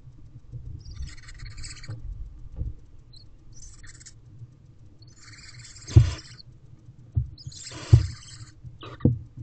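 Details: Nest box owlets of barn owl, midday on 5/9/23, siblings gathered around one dominant youngster; a run of harsh, noisy screechy hisses, strongest toward the end, each paired with a sharp knock from movement inside the box.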